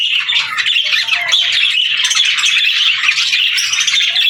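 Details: Several budgies keep up a steady, busy warble of rasping chirps and short squawks, a thick unbroken chorus of high chatter.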